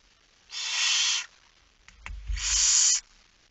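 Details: Two drawn-out rasping hisses from a barn owl at the nest at feeding time, late evening of 10 September 2019. Each lasts under a second, separated by a short pause with a dull bump.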